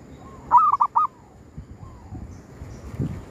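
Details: Zebra dove at a cemetery, its call used to lure wild doves: a brief gliding note, then a burst of three rapid bubbling coos, followed by a softer drawn note and scattered low knocks and rustles.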